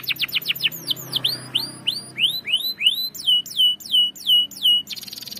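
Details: Long rolling song of a canary serving as a lure bird, opening with quick repeated notes, then slower sweeping whistles that rise and bend, followed by evenly spaced falling whistled notes and a final buzzy roll.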